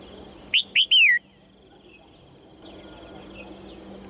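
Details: Cheerful call of a female red-whiskered bulbul urging males into song. One crisp three-note whistled phrase with a sliding, descending final note, then a quiet stretch with faint hum before another phrase begins.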